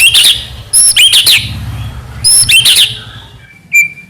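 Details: Captive white-rumped shama of the Medan type, singing as a lure to spur other shamas to sing: sharp whistled notes and buzzy bursts in short groups, ending with a thin whistle, low hum underneath.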